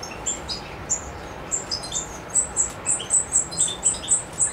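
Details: European goldfinch in Macedonia on 7 July 2011: sparse high notes build into a rapid, evenly paced series of ringing chirps, about three per second.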